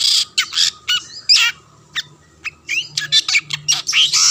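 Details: Long-tailed shrike song used as a lure to stir rival shrikes: scratchy chattering bursts broken by brief whistled slurs and a short pause midway, then a rapid series of rasping notes.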